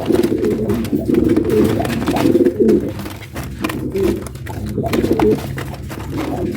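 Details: Pet pigeon pair cooing indoors during mating and nesting: low, throaty rolling coos repeated in bursts of about a second, with faint room noise between them.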